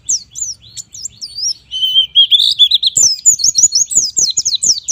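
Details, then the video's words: White-eye song used to get young white-eyes singing: scattered high twittering, a wavering run of lower whistles, then a fast energetic series of high slurred, sweeping notes. "suara pleci gacor nembak Ampuh bikin pleci bahan jadi gacor"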